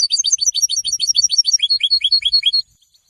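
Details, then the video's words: Goldfinch song, given to announce presence and attract females, used for song training: a fast, even string of sharp, high twittered notes that slide slightly downward, about eight per second for over two seconds, then stops abruptly. "Golden songs for goldfinch voices"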